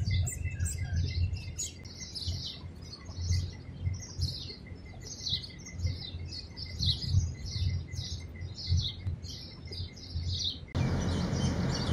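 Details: Madagascar hoopoe feeding chicks in a palm tree hole where the chicks sit inside, Abu Dhabi, UAE; thin, high chirps repeated rapidly, roughly two per second, over a low rumbling background, ending in a short noisy burst.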